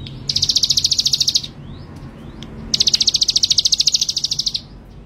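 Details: A male ciblek gunung, called gacor and fearless, sings two long strings of fast, sharp, high-pitched pulses, the second nearly two seconds long, with a brief quiet gap holding soft upslurred notes.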